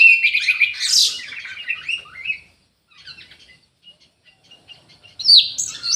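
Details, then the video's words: Orange-headed thrush kept in an aviary, singing in bursts of varied warbled and chirping phrases with clear high notes, a sharper rising flourish near the end after a quiet pause. "ANIS MERAH GACOR"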